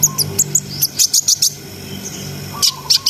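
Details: Brown-throated sunbird, a steadily singing bird used to raise breeding arousal in untrained birds, gives clusters of sharp, very high chirps with short pauses between bursts, over a faint low hum.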